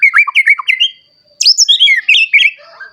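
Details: White-rumped shama, a singing bird used to provoke other shamas to sing and show off their repertoire. A quick string of bright chirped whistles, a short silence, then a louder burst of high, varied notes.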